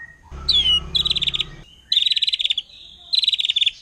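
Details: Wild forest white-rumped shama in rapid-fire song that provokes other shamas: a bright sliding whistle, then three quick rattling trills of stuttered high notes separated by short pauses, with a low hum underneath at the start.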